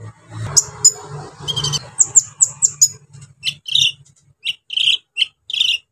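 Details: Brown-throated sunbird singing coarse filler phrases to raise other sunbirds' agitation; a run of quick, downslurred high chirps followed by evenly spaced sharp squeaky notes, with low rumbling at the start.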